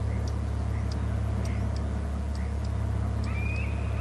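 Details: Bald eagle at a Hornby Island nest and territory, calling loudly as it flies off from beside a glass house; short high chirps about every half second, then a thin drawn-out whistled note, over a steady low mechanical hum.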